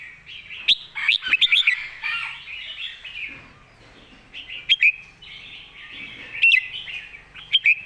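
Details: Red-whiskered bulbul's model song: several bursts of quick, ringing whistled notes spaced a couple of seconds apart, against continuous soft warbling and chatter of other birds.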